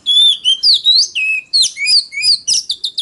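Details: Oriental magpie-robin singing in a loud competitive style used to lure rivals: rich, varied whistled phrases with sliding and rising notes, delivered in rapid bursts about every quarter second, no other sounds.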